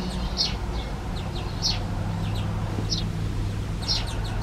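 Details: Young European greenfinches out of the nest, still tended by male and female parents, begging with far-audible calls. Scattered brief high chirps, some in quick pairs, roughly one burst per second, above a low steady drone.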